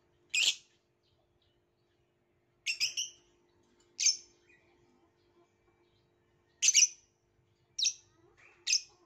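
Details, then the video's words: Violet lovebird calling with isolated shrill, raspy chirps, one every second or two, in an otherwise quiet setting. "Burung lovebirth violet"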